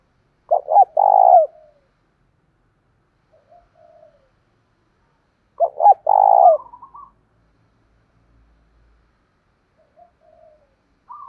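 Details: Spotted dove used as a loud-voiced lure to provoke fighting, in the 'thổ đồng' voice style: two loud, throaty cooing phrases about five seconds apart, each opening with short stuttered notes, then softer wavering coos trailing off.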